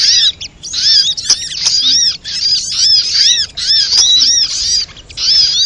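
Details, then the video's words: Sunbird calling used as a lure to make birds sing: high, sweet, swooping chirps linked into lively chattering phrases, with short pauses between groups. "SUARA PIKAT BURUNG SOGOK ONTONG RIBUT AMPUH BIKIN SOGON NEMPEL PULUT"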